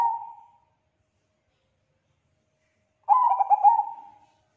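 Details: Zebra dove, Bangkok perkutut type, singing loudly, said to get other perkutut calling back: a purring coo fades out, then after about two and a half seconds of quiet a new phrase of quick hollow notes rolls into a long trill.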